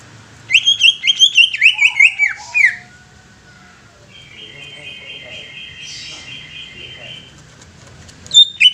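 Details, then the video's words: Greater green leafbird singing a fast, busy phrase of sharp, whistled, zigzag notes for about two seconds, followed by a softer, even buzzy trill held for roughly three seconds and one final loud note. "SUARA ASLI CUCAK IJO"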